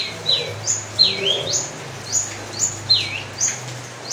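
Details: Long-tailed shrike singing: high, sharp whistled notes sweeping down and up, with bright clipped chirps in short bursts roughly every half second, over a faint low hum.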